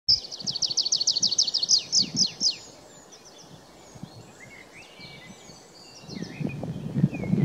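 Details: Tree pipit singing at Kuzawka on 23 April 2019: a quick run of about a dozen high, downward-slurred notes, then fainter scattered chirps, with low rustling in the background.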